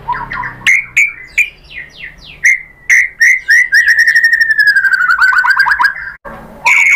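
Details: White-rumped shama song meant to stir other shamas: separate slurred whistles that speed up into a long, fast rattling trill, ending with a bright burst.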